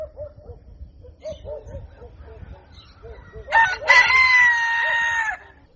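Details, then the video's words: Rooster at daybreak: soft, low repeated clucks, then a loud crow with a sharp start and a long, level, sustained note lasting nearly two seconds. "Canto Do Galo | Galo Cantando Ao Amanhecer | Som Do Galo | Galo Cantando Para Acordar"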